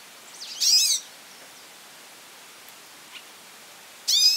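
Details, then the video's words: Goldfinch calling repeatedly; two loud bursts of high, sweeping, buzzy notes, one near the start and one at the end, with quiet pauses between over faint background hiss. "pintassilgo chamando muito"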